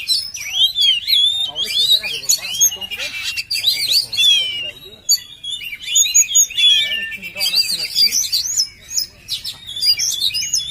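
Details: Oriental magpie-robin pouring out a long, varied song of clear whistles, slurred upward and downward notes, harsh rattling bursts and chattering runs, loud and near, with little background sound.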